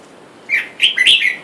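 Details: Caged wild-caught pair of red-whiskered bulbuls, male and female, with wild birds outside calling for a mate; a short chirp is followed by a quick run of bright, warbling notes that overlap and trail off.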